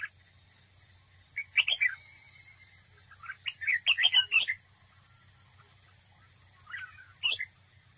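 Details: Red-whiskered bulbul acting as a decoy at a trap, in competitive song. It gives a chirpy phrase, then a longer rapid jumble of sweet warbled notes, then a final short chirp. A constant high drone fills the background.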